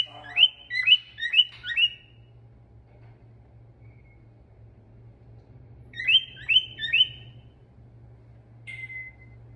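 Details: Male stone-curlew whistling, giving two short bursts of about four rapid upslurred whistled notes separated by a long quiet gap, ending with one brief flat whistle; faint low hum throughout.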